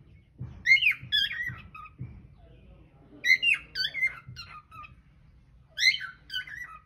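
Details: Hidden-camera recording of a pet cockatiel singing indoors: three bursts of bright, falling whistled notes spaced a couple of seconds apart, with low knocks and room noise between them.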